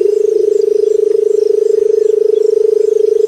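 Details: Barred buttonquail in a continuous, deep, purring hum made of rapid even pulses throughout, with no breaks. Faint high background sounds.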